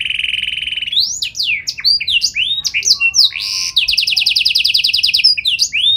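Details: Canary in 'gacor' song with 'cengkok istimewa' style, to make other canaries answer: a steady buzzy trill, tumbling whistled sweeps and chirps, then a fast bright rattle of evenly repeated notes near the end.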